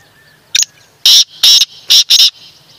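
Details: A black francolin utters its harsh rhythmic call: one brief introductory note, then four strident, scratchy syllables, the last two close together, over faint background hiss.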